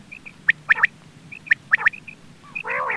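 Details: Quail calls used as a hunting lure: pairs of short high piping notes, sharp clicking ticks, and a closing harsh, buzzy rasping burst, over faint low background hum.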